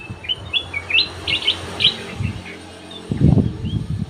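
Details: Aviary-kept ruby-throated bulbul (cucak emas), lure song: a string of short, clear whistled notes with upward flicks. A faint hum sits underneath, and a burst of low thumping comes near the end.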